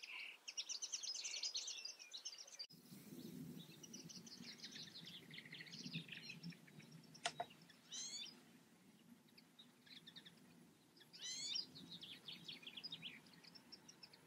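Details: European goldfinch in the Eifel countryside, giving quick high twittering phrases with sharp rising chirps and a few clicks, over a steady low rumble of background noise.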